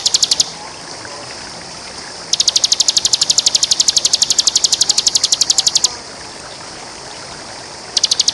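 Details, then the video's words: Bar-winged prinia (ciblek) singing in full song: bursts of rapid, high, sharp notes, about ten a second, the longest run lasting several seconds, over a faint hiss. The recording is used as a champion tutor song. "Suara ciblek gacor"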